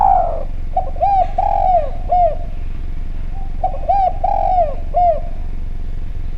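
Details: Spotted dove of the Javanese type, a lure sound to make doves call: a falling coo, then two phrases of short arched coos with one longer drawn note in each, steady low background rumble.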